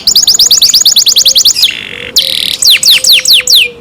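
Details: Canary in its owners' care sings a brisk trill of evenly repeated high notes, a short buzzy pause phrase, then several loud downward-sweeping whistles.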